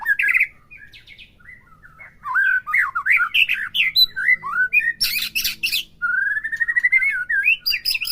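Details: White-rumped shama song for stimulating a caged bird: loud slurred whistles and warbles, a burst of harsh high chatter midway, then a rising rapid trill and more whistled phrases.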